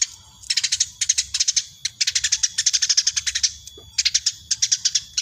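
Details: Tame Eurasian tree sparrow calling busily, a chattering run of rapid high chirps in dense bursts separated by brief pauses, repeated across the whole stretch.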